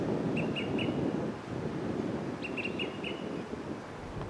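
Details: Olive-sided flycatchers perched on Monterey Pine branches in Del Monte Forest, California, communicating with each other: sharp, short pips in quick triplets, one set early and a longer run of four to five after a pause, over steady low wind rumble.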